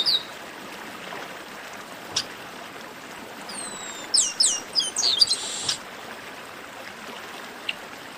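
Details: Garibaldi, the chestnut-capped blackbird, heard in an 'esquenta' song recording: a single busy burst of sharp, descending high whistles and a buzzy note after four seconds, set in quiet background hiss with a few isolated clicks.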